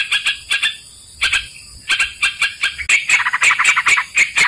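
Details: Yellow-vented bulbul lure sound for bird trapping: scattered pairs of sharp chips, then a dense, lively stretch of rapid chirping notes in the second half.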